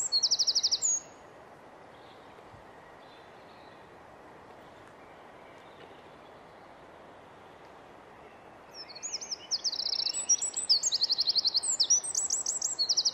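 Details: A winter wren in Estonia sings very high, rapid trills, first as a short burst and then a longer run of fast rattling phrases, over a steady low background hiss.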